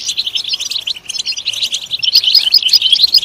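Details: European goldfinch song used to stimulate other goldfinches to sing: rapid, tinkling twitter of short notes, many brief rising and falling chirps packed closely together, steady and bright throughout.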